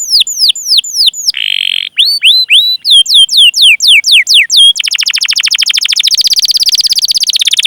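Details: Canary in lively cuit-cuit and rolling song, used as a lure for young, untrained or silent canaries. Repeated falling whistles around a short buzzy burst, then a long fast pulsed trill to the end.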